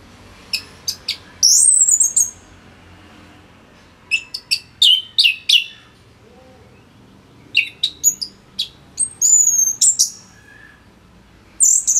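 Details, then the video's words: Orange-headed thrush singing densely, as a tutor for other songbirds: scattered sharp chips and high whistled loops in three separated bursts, quieter than nearby, with a soft background hiss throughout. "ANIS MERAH Gacor Suara Rapet Bagus Untuk Memaster Burung Punglor"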